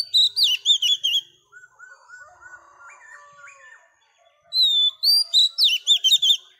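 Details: Female Oriental magpie-robin, wild-caught, sings to stir up males. A loud run of slurred whistles gives way to softer, lower warbling and mimicked-sounding whistles, then another fast, bright burst of sharp notes.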